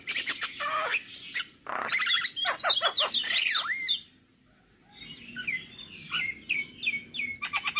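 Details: Jalak kebo, the Javan myna, a male in morning song, masteran full isian: a busy medley of clicks, buzzy rattles and swooping whistles, a quiet gap, then a series of falling whistled notes and quick chips.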